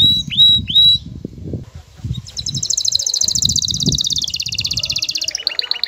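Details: Male canary in courtship with a female: three rising whistled notes, then a long, dense rolling trill and a brief pulsed phrase, with low background noise.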